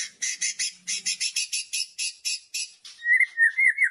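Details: Loud kretekan song of a white-rumped shama, used to provoke rival shamas. A fast run of rasping, crackling bursts gives way to clear, rising whistled notes.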